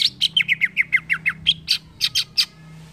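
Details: Green leafbird song as training material for caged birds: a string of about a dozen clear, downslurred whistled notes repeated quickly and evenly, ending in a few higher, sharper chips.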